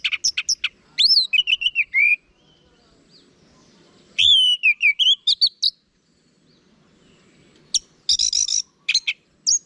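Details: Lively orange-headed thrush song played to stimulate kept birds: clusters of sharp high notes alternating with rich warbled phrases of rising and falling whistles, ending in buzzy, harsh bursts.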